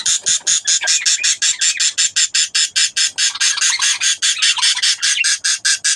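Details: Raspy, harsh calls from breeding budgerigars repeat steadily about two and a half times per second, each a broad hissing burst, continuing without pause.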